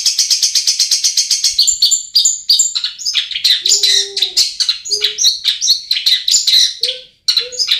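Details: Long-tailed shrike lure song for birds slow to sing: rapid even chirps giving way to a busy, scratchy medley of high whistled and buzzy notes, with a few faint low tones in the background.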